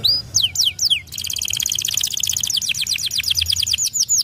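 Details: A Pocong-type canary sings to draw other canaries into singing: high, loud phrases of falling whistled sweeps, then a long rapid chattering trill.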